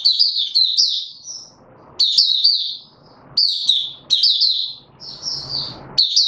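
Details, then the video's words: Male white-eye (Mata Puteh) in open singing, 31 December 2021: high, rapid warbled phrases of tumbling, slurred notes, delivered in bursts with short pauses, over faint low background hiss. "Mata Puteh - Raja V2 Pushing him on form buka sing"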